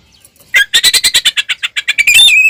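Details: An Oriental magpie-robin gives a provoking fight song: a quick series of about a dozen harsh, evenly spaced rasping pulses, closing with a steady high whistle.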